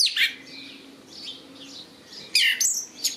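Red-legged thrush singing in short, high, squeaky phrases with sharp chips, two loud bursts about two seconds apart and softer warbles between.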